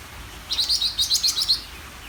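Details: Greater green leafbird giving a single fast burst of about seven bright, high chattering notes lasting around one second, with a quiet pause before and after.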